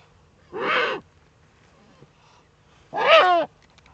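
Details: Common moorhen (Gallinula chloropus) in the Eifel at 22:29 on 13 April 2014, night: two harsh, rasping half-second calls about two and a half seconds apart, the second with a falling, slurred edge, over a faint low hum.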